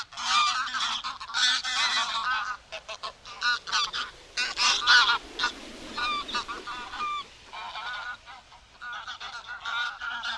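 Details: Wild greylag geese honking: loud, nasal, harmonic-rich calls in rapid overlapping series, a flock calling together with short pauses between bursts.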